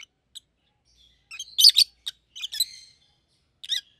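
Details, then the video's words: Pet rosy-faced lovebirds, a pair with red heads, give loud squeaky chirps in a tight cluster, then a few scattered high notes. "Lovebird's Sounds - Lemon & Melon - Rosy-faced Lovebird"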